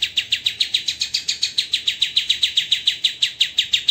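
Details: A training master of white-rumped shama 'tembakan' singing, dense and rough. Crisp, harsh, high notes are fired rapidly and evenly, roughly three to four per second, throughout the clip.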